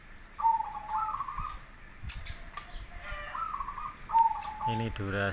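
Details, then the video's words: Local and crossbred zebra doves singing for a master recording that invites other doves to answer; repeated rolling trilled coo phrases with clicks, and a different harmonic voice near the end. "Suara perkutut lokal vs Krosing cocok untuk masteran pancingan langsung Nyaut"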